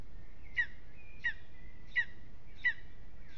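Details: A lesser spotted eagle on its nest in an aspen at Aizkuja, Latvia, unsettled in the evening. It gives five brief, high yelping notes about 0.7 seconds apart, linked by a faint thin drawn tone.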